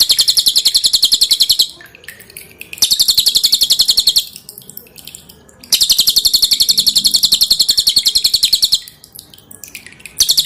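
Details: Cililin, the pin-striped tit-babbler, singing for cage-bird training, prized for a hard, tightly packed delivery: three long bursts of fast, high, machine-gun chattering notes separated by short pauses, with quiet dripping water between phrases.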